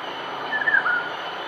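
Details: A Black Baza on 21 March 2016 at Bidadari Woodland, Singapore, gives a brief run of thin, high whistled notes that slur upward, over a steady hiss of background noise.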